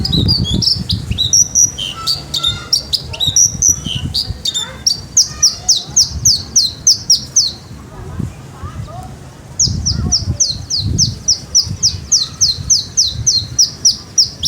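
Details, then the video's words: Javan bush lark kept in a cage delivers a long, lively song of varied whistles that settles into rapid repeated high slurred notes. After a short pause the repeated notes resume, with low background noise throughout. "branjangan javanica gacor dorr ngleper"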